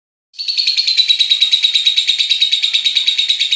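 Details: Lovebird giving a long ngekek chattering trill, the kind played to stir other lovebirds into song; after a brief silence, a rapid buzzy pulsed chatter starts and holds steady and high-pitched without a break.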